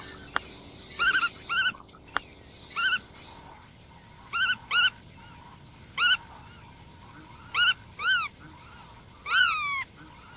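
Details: Black-tailed godwit calling in sharp, nasal, arched notes, often paired, spaced every one to two seconds, ending on a longer falling call; a few faint clicks early on.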